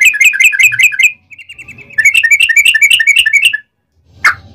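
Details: Yellow-vented bulbul singing a rapid 'ropel' phrase to lure other bulbuls into song: quick bubbly notes, a short even trill, another burst of chattering whistles, then a single sharp click near the end.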